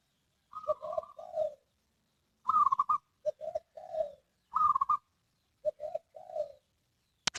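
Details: Zebra dove cooing: three phrases, each a higher drawn-out note followed by a few lower, rolling coos, separated by pauses of about a second, in quiet surroundings.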